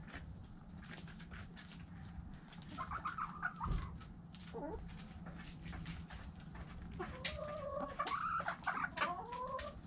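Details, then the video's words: Chickens heard together, hens giving drawn-out rising and falling clucks and squawks in two bursts, over steady low rumble and scattered clicking sounds. "Chickens Doing Chicken Stuff Sounds Noises Hens Clucking Roosters Crowing!"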